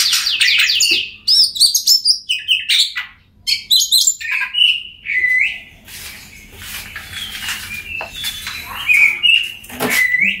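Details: Oriental magpie-robin song to stir quiet birds into singing: bright chirps and whistled slurs in quick bursts early on, then softer, lower whistles and scattered clicks with more space between them.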